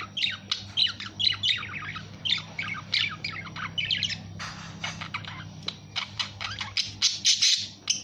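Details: Budgerigar chattering with fast squeaky chirps and warbles, turning toward the end into harsher, scratchy bursts and a loud rasping squawk.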